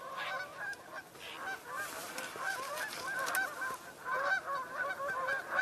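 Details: A flock of geese, calling suddenly alongside a great blue heron, honks all at once in a dense overlapping chorus of nasal, upslurred honks that never pauses.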